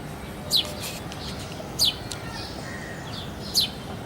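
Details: House sparrow in the early morning, Sony handycam recording: three clear, falling chirps roughly 1.5 seconds apart, plus faint chirping from other birds and steady background noise.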